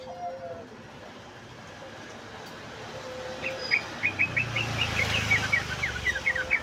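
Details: Sooty-headed bulbul in ngeriwik song, delivering a long, rapid run of sharp repeated chirps for nearly three seconds over steady background rumble.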